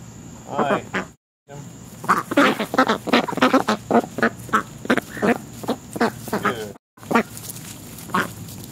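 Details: American black ducks, part of a family living around a house for a month, being hand-fed; a rapid run of harsh, nasal quacks repeated several times per second, broken by two brief gaps.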